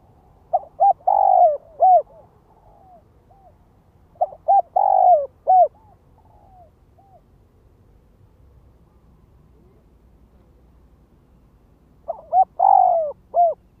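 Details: Spotted dove kept as a ground decoy, calling to provoke other doves: three clear cooing phrases, each of quick short notes, a drawn-out vibrant coo and a closing dropping note, separated by pauses of a few seconds.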